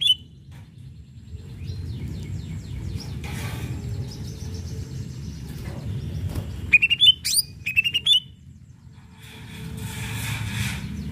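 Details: Singing greater green leafbird, meant to excite rival birds into answering: scattered high whistled notes with quick upward and downward slurs, a burst of sharp clicking notes, then a broken series of bright whistles, with steady low background noise.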